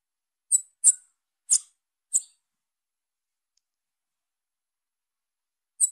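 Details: Young female Bananaquit giving short, piercing, high-pitched chips. Four come in quick succession within about two seconds, then a pause of over three seconds before a fifth. The background is silent.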